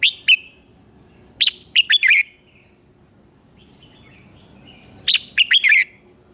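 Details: A red-whiskered bulbul gives its morning training song, recorded for use as a lure bird: crisp whistled phrases of four or five notes come several times, with low faint chatter between them.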